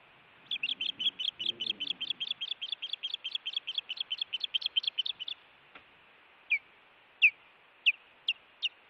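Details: Osprey at a nest watched by a live camera in Montana, 16 June 2017, during an intruder incident: a fast run of about twenty sharp, downslurred whistled chirps, then five louder single chirps spaced under a second apart.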